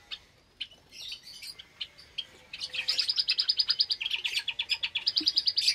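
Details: Java sparrows breeding in an aviary with newly hatched chicks, on a Sunday morning in May 2022, give scattered sharp chips, then a fast, high, metallic chattering series of several notes a second, with other aviary birds chirping faintly.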